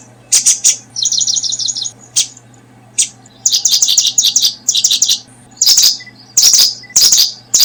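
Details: Paddyfield pipit at brooding time: a quick even trill of high notes, then scattered sharp chips and several strings of fast chirps, growing louder toward the end, with a steady low hum throughout.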